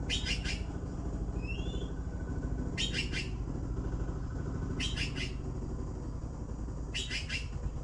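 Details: Blue magpie begging: loud scratchy pulsed bursts repeated regularly about every two seconds, four in all, with a faint twisting whistle early on and steady low traffic-like rumble throughout.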